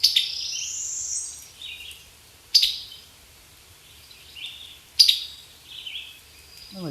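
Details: A male summer tanager gives chip notes: a crisp, sharp click followed by a short slurred high note, repeated about every two and a half seconds over a faint low hum.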